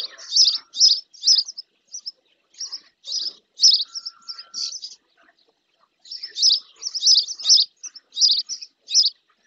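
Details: Bathing female spotless starling in a lagoon near the nest, Doñana National Park marsh, Andalusia, Spain; steady strings of sharp, high chirps, broken by a brief quiet spell before a final dense series.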